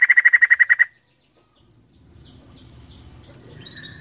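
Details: Female white-crested laughingthrush with a short burst of fast harsh pulsed notes lasting under a second, followed by quiet background and faint chirping.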